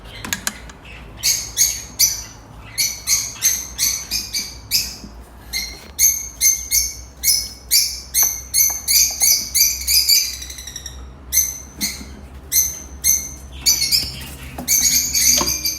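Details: Newborn cockatiel chicks beg with harsh, raspy bursts of sound, repeated several times a second.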